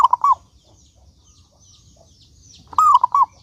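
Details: Zebra dove cooing phrases, one ending at the start and another after a pause, a soft rolling series of notes, used as a lure to make other doves sing.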